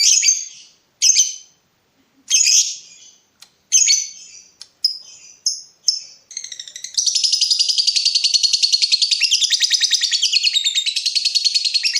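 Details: Lovebird in breeding mood calling to provoke rivals: separate shrill high chirps at first, then a long, unbroken, rapid chattering trill that runs to the end.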